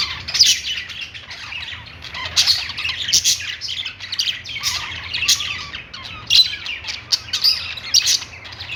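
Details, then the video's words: Budgerigars chirping in a happy mood: busy scratchy warbles punctuated by sharp high chirps in irregular bursts, several birds overlapping over a faint low hum. "budgies birds noises | parakeet chirping sounds"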